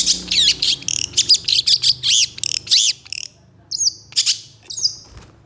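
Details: Long-tailed shrike (cendet) in energetic song, reacting to another shrike, in a training recording: a dense burst of arched buzzy chirps, a short pause, then three high hooked whistles.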